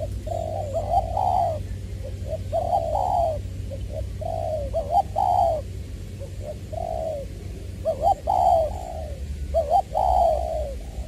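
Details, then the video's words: Spotted dove used as a decoy at Long Đức, Trà Vinh, on 22 February 2021, voice style 'giọng tiểu'. Repeated mellow cooing phrases, clipped notes then drawn-out coos, recurring about every two seconds above a steady low hum. "Ra mắt AE nước chơi mồi lỡ "Chuẩn Giọng Tiểu""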